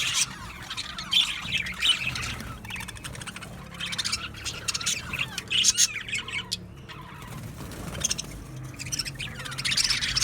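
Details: Australian budgerigar colony in an aviary, many birds chirping at once: bursts of high scratchy chatter and squawks rise and fall over a steady low background hum.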